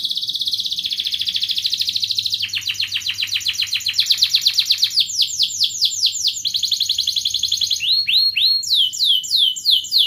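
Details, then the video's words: Canary in full gacor song with ngerek, mbarong, cuit-cuit and ngerol passages, used to get lazy canaries singing; a long rapid high trill gives way to rolling swept notes and clipped, sharply rising chirps. "Kenari gacor NGEREK MBARONG Cuit cuit NGEROL"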